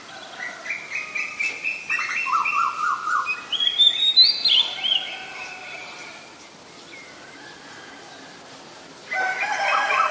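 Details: Oriental magpie-robin, very common resident bird of Ubon Ratchathani, Thailand, recorded 7 January 2021 on a Nikon P1000: clear whistled phrases, some level and some rising, then quavering notes and a quiet gap before a final burst.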